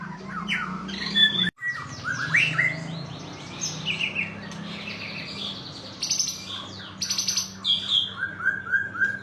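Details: White-rumped shama song on a bright morning, made of mixed rapid chattering notes and whistled phrases. A steady low droning hum and a sudden thump run through the background.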